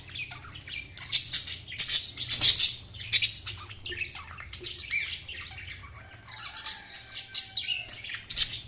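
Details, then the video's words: Budgerigars chirping and squawking in bursts of bright, high, scratchy notes, with a few louder chirps at the start, then softer chatter and a faint low hum underneath. "Budgies Chirping sound"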